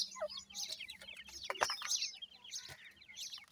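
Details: Grey francolin chicks accompanied by a female, during training: overlapping high, falling chirps in quick runs, broken by knocks and rustling noise.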